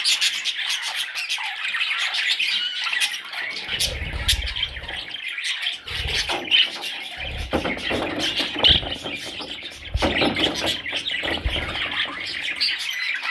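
Budgerigar chicks give a dense, raspy chatter of rapid, high squeaks with hardly a pause.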